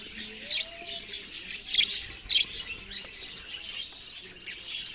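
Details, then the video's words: High, rasping budgerigar chatter with frequent sharp accented chirps popping out of a continuous twittering background, plus a faint low whistled glide early on. "parrot sounds and chirping sounds"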